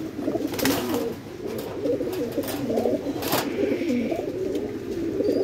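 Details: Suital red tail mark fantail pigeons kept on a farm in Bangladesh produce a continuous low, warbling coo, broken by several loud clicks and knocks early on, with a faint thin chirp in the background.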